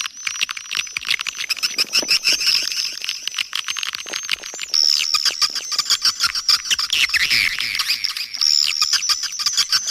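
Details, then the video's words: Swiftlet calling and roosting sounds from Kampar, Riau, used to attract swiftlets. A crowd of birds chatters nonstop in high squeaky twitters, with rhythmic clicking bursts that swell and fade over ten seconds. "Suara Panggil Burung Walet"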